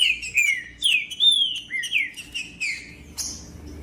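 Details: Green-winged saltator song, male singing in macheando style, used to warm up other saltators: loud clear whistled phrases, slurred and falling, several notes in under four seconds, then a sharper high note near the end.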